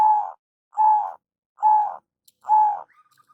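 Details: Zebra dove lure call, local bird: four drawn-out mellow coos in steady succession about every 0.85 seconds, followed by a faint thin trailing note.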